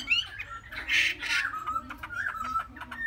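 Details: Young caged Chinese hwamei, three months old, kept in Vietnam, giving a short burst of mixed notes: a rising whistle, harsh buzzy bursts, then a level clear whistle repeated; low background hum.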